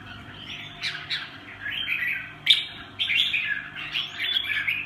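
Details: Short-crested 'mào cui' red-whiskered bulbul giving bright, slurred whistled notes and chattering phrases, starting softly and growing louder, over a low steady hum.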